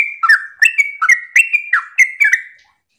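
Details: Morning 'ropel' song of a Sooty-headed bulbul, played as a lure to set other bulbuls singing. Energetic, unbroken string of about eight clipped, bubbly phrases, each a sharp downward flick followed by a short whistled tail.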